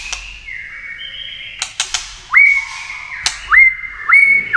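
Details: White-rumped shama in tail-flicking 'tạch' contest singing; long level whistles and several sharp clicks, followed by three upswept ringing whistles at regular intervals.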